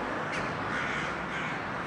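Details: Dozens of Hooded Crows gathered in trees at 5 AM on a cold morning around a rescued rook fledgling in a Copenhagen playground beside a busy street: harsh rasping caws overlapping into a continuous, dense chorus with no gaps.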